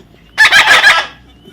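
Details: Single grating, pulsed squawk from a baby parrot lasting about two-thirds of a second, rough and buzzy throughout.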